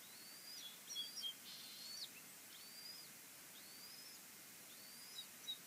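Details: Bald eagles at the nest at Fraser Point on 22 March 2019 while the chicks are fed, the two oldest chicks getting most food; faint, thin, high whistled notes that rise then level, repeated irregularly over steady background hiss.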